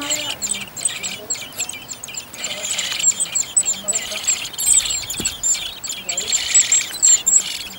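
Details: Common blackbird family in a garden on Whit Monday, whose second brood of four young is about to fledge: thin, very high squeaky calls scattered over a dense hiss of other bird chatter and a faint murmur.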